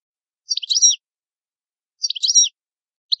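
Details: European goldfinch, described as an Italian bird, giving two short twittering phrases about a second and a half apart, each a quick jumble of high tinkling notes, with a third phrase starting at the end; no other sounds.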